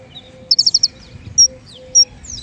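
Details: King konin singing, used as a lure sound for trapping birds: a quick burst of five high chirps, then two separate sharp high whistles, over faint low background hum.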